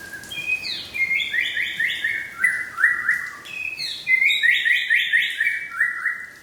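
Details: White-rumped shama from Aceh singing: rich run of clear whistled notes stepping downward in quick series, two phrases separated by a short pause, over a steady hiss of background noise.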